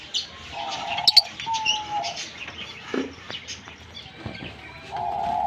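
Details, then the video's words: Pair of green Fischer's lovebirds chirping and singing: raspy high twitters and a sharp squeak, over an intermittent steady hum. "Lovebird Singing & Chirping Sounds - Green Fischer Pair"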